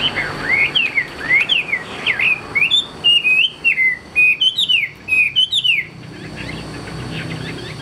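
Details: Tame caged hwamei singing: a lively run of loud whistled phrases, each a quick up-and-down slur repeated with small changes about twice a second, then fading into background hiss and a steady high tone.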